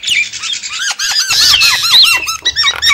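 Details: Javan myna calls for luring wild birds: a run of squeaky, looping chirps repeated rapidly under loud, high scratchy chatter.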